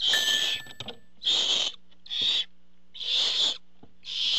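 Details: Barn owls at a nest-box camera as the father arrives with food: harsh, hissing screeches about half a second long, repeated roughly once a second, with a faint steady hum beneath.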